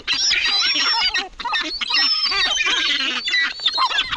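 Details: Several gulls in a cemetery call at once, a continuous jumble of shrill, nasal mewing and squealing notes with rising and falling inflections and barely any pause.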